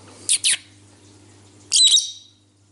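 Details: Pet cobalt lovebird kept indoors, chatting with its owner. A quick pair of bright, high chirps is followed by a louder, scratchy chattering call with a short squeal. A faint hum runs throughout, and Spanish talk comes before and after.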